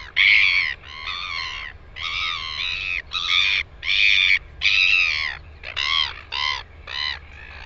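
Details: Loud braying series from a Northern royal albatross in New Zealand on 9 September 2020: long nasal harmonic notes about half a second each, then quicker clipped calls near the end.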